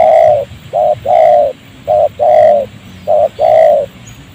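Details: Wild spotted dove cooing in agitated response to a trained decoy during trapping in a rubber plantation near a village; it kept cooing even with a leg caught in the snare. Low, mellow coos come in short-then-long pairs, the drawn notes rolling, repeated three times after an opening long coo.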